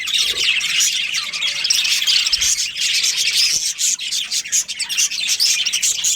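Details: Colony of budgies, including a breeding pair, filling the air with continuous high chirping and scratchy warbled chatter from several birds at once, with a few soft low thumps.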